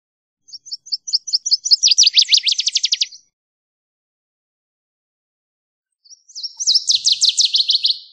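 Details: Northern waterthrush singing two loud, clean phrases: a run of quick high chips speeding into rapid descending slurred notes, the first ending near three seconds, the second starting near six; quiet background.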